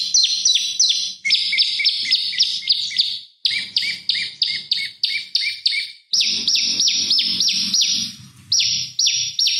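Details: Prenjak lumut (prinia) song as a master lure for oriental magpie-robins: rapid series of high ringing chirps, about three per second, in bursts broken by brief pauses.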